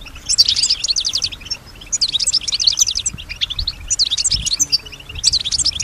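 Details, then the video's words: European goldfinch, female, singing in response to surrounding sounds: bursts of fast high twittering notes lasting about a second, repeated four times with brief quiet gaps. "Solutions to keep your goldfinch healthy and singing with strong stimulation"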